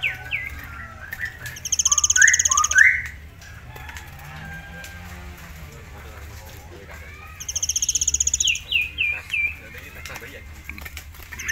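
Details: {'caption': 'Tame forktail in ngitir song, used for tutoring: rising chirped notes lead into a loud buzzy trill, a pause, then another trill followed by a run of quick descending whistled notes.'}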